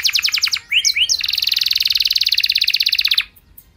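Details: Canary song for prompting other canaries to join in: choppy quick notes, two rising swoops, then an even, buzzy trill of rapid pulses held for about two seconds before stopping abruptly.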